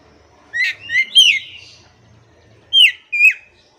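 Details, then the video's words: Oriental magpie-robin song for coaxing a stressed caged bird back into singing: a few separated rising and falling whistled notes, then a pause and two more clear slurred whistles. "KACER MACET TOTAL pasti akan PULIH dan NYAUT dengan dimasteri kacer ini"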